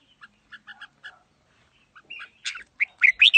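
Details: Red-whiskered bulbul singing in the đá lân style with a forest voice: soft, spaced whistled notes at first, then louder, rapid slurred phrases toward the end.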